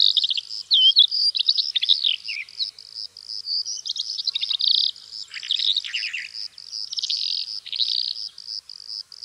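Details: Long rambling song of the Calandra lark in Greece, a restless mix of sharp chirps, buzzy trills and downslurred whistles, with a faint rhythmic pulsing hum underneath.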